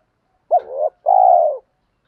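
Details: Spotted dove giving a lure coo meant to provoke wild doves into cooing back: a short sharp rising note, then a longer low, even coo that sags slightly at the end. No other sounds.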